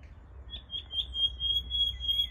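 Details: A nightingale heard from a favourite biking path holds a long, high, pure whistle for nearly two seconds, wavering slightly, over a faint low rumble.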